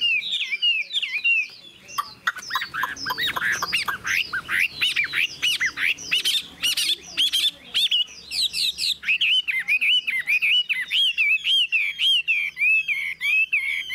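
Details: Wild-caught Chinese hwamei kept in a cage, nearly tame, shown doing wing and tail-fanning displays; a harsh, rapid burst of scratchy chattering notes gives way to a run of bright, looping whistles.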